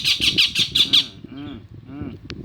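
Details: A pet male Rose-ringed parakeet, about two months old, gives five or six harsh, high screeches in quick succession, then quieter murmuring and a low voice; it calls loudly, apparently because it is hungry.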